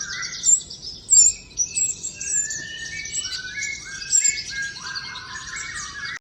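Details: Common iora in the wild, singing trotol: loud sharp notes open, then a run of short whistled phrases stepping downward, over a constant shrill high twitter.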